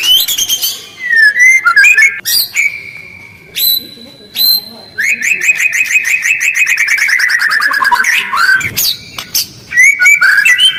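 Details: White-rumped shama used to provoke other birds to respond: sharp chips and steady whistled tones, then a long fast rattle of repeated buzzy notes gradually falling in pitch, ending with rough whistled phrases.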